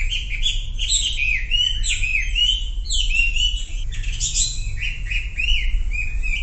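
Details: Sumatran leafbird song played to coax silent birds into singing: fast, varied chattering whistles, many short downslurred and upswept notes strung together continuously over a low hum.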